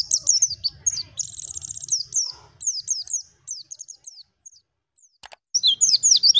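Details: Wild white-eye song (local style 'ngalas'), used as tutor song for young birds: rapid high-pitched chirps and short trills, a dense burst followed by scattered notes, a brief pause and a sharp click, then more twittering.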